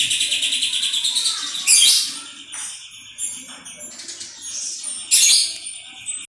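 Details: White-rumped shama song played as a lure to provoke other birds into singing: fast, high, buzzy trills and scratchy chatter, a thin sustained high note running through, and loud harsh bursts near two and five seconds.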